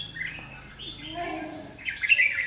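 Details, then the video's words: Red-whiskered bulbul at a decoy trapping fight, 7 July 2016: a thin rising whistle, then a burst of loud, bright warbling notes, part of its intimidating ché song. "chim chào mào hót ché nạt mồi"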